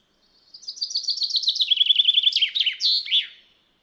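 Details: A wild Common chaffinch gives one bright three-second song: quick descending trills of repeated notes that speed up and end in a sharp flourish. No other sounds are heard.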